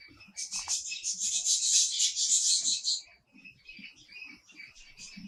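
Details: Wild bird chicks in the nest begging while the mother feeds them and the father stands guard; a dense, shrill, high chirping chorus runs for three seconds, then softer scattered chirps follow with faint low thumps.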